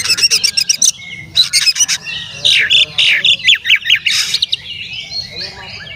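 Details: Male Oriental magpie-robin singing intensely as a lure to agitate other magpie-robins; repeated harsh rattling bursts followed by a run of loud, sharp downslurred whistles, steady low hum beneath.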